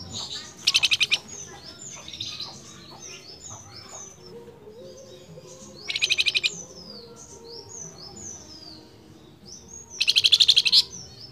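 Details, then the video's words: Energetic flamboyan bird calling its female, repeating loud dry buzzy rattles about every five seconds, woven with a steady series of short high downslurred whistles and scattered chirps. "BURUNG FLAMBOYAN NYENTRIK GACOR MEMANGGIL BETINANYA"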